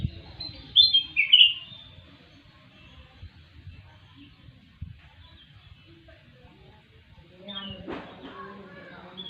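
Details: Black-capped bulbul (kutilang emas) in active, frequent song: a loud burst of sharp, bright whistled notes at the start, then near silence, later a faint rough noise and softer notes.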